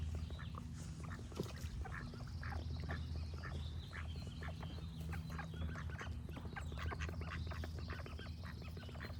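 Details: Many ducks call at once, a steady patter of brief rasping quacks, accompanied by high-pitched birdsong and a low droning hum.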